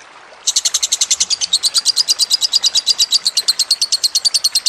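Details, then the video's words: Lovebird master song over a trickle of water: quiet at first, then a sudden burst into a continuous fast trill of squeaky high chirps, about eight each second. "Masteran Lovebird Kusumo + Gemercik Air Lebih Cepat Masuk"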